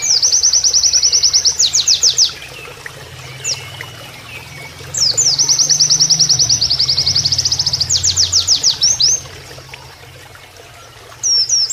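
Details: Canary-style Oriental white-eye song used as a training master: long, rapid, high-pitched trills of repeated notes lasting several seconds, with pauses between bursts and a low rush of flowing water beneath.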